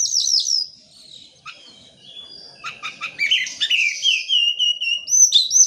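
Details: Oriental magpie-robin singing a lure song intended to make lazy birds respond: high slurred whistles, a quiet pause, then quick clicks and a long descending whistled note.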